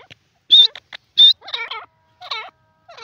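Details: Francolin (teetar) calling: two short, bright, high piercing notes, then a run of lower, nasal, wavering harmonic notes repeated in clusters about every half second, against a quiet, clean background.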